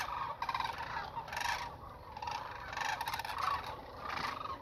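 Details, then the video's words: Migrating sandhill cranes in south central Nebraska in 2021, about 30 m away: many birds give loud, rolling, rattling bugles at once, overlapping in a continuous chorus with no clear gaps. "sandhill cranes"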